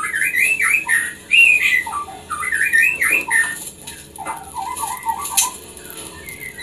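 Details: Captive-bred white-rumped shama song, played to encourage breeding birds to mate: varied clear whistled phrases, rising and falling loops repeated several times a second, then a lower run of quick bubbling notes.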